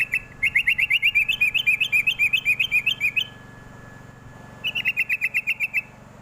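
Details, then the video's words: Lure call of a sooty-headed bulbul, used to get young birds to reply: a long rapid run of chirpy notes, some lifting higher midway, then a pause and a shorter matching run. "pancingan paling jitu burung trucuk muda pasti nyaut"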